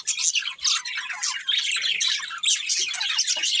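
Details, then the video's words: Chirping from a breeding pair of budgies: busy, high warbled chatter mixing clear whistled notes and harsh squawky bits, nearly nonstop. "Beautiful Budgies Chirping Sounds"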